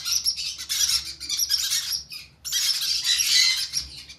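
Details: Conure chicks being hand fed, giving dense, harsh, high-pitched begging squeals almost without pause, with one short gap midway.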